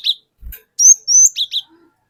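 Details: Cinereous tit from forest stock, singing to provoke other birds: a brief sharp chirp, then a long high whistled note rising slightly, followed by two quick downslurred notes.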